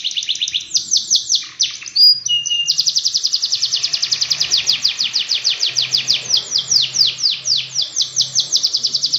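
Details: Long canary song for training other canaries: short trill, a brief flat whistle, then a fast sustained roll of repeated downward-sliding notes with faint low hum in the background.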